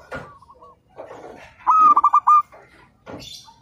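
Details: Zebra dove, local bird, recorded as training master: one loud, clipped phrase of quick stuttering coos lasting under a second, set among quieter murmuring noises and a brief higher sound at the end.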